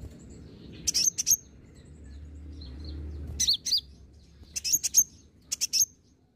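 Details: Energetic lure song from a green-plumaged olive-backed sunbird: groups of two or three shrill, high chirps and quick slurred notes in four bursts, separated by pauses with faint low hum.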